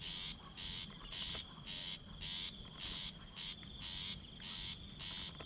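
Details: Very young chick of a Rufous-backed Shrike, fed by the mother bird, repeats coarse, breathy rasping notes at an even pace of nearly two a second against continuous insect buzzing.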